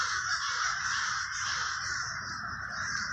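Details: Crows in the Villa Park neighborhood of Trenton, New Jersey give a loud, continuous mass of grating caws, many birds calling at once in a thick, unbroken racket.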